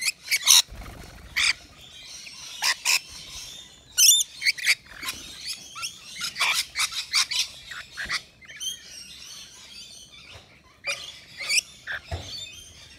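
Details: Rainbow lorikeets, Australian nectar feeders, at a balcony bowl produce intermittent sharp screeches and chattering squeaks, with quieter stretches between the louder bursts.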